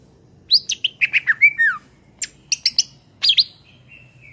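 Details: Greater green leafbird (cucak ijo) song for songbird training: a quick chattering phrase with falling slurs, then separate sharp chips and a long even whistle to close.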